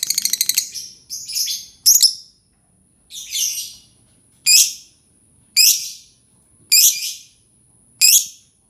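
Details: Lovebird sound used to prompt other lovebirds to sing: a rapid buzzy trill opens, then sharp high chirps with descending tails repeat about once a second, with a faint steady high tone throughout.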